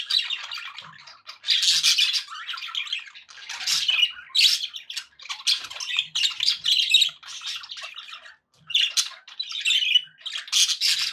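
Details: Happy budgies kept indoors as pets chatter busily, layering buzzy warbles and high squeaky notes in bursts with a brief pause near the end.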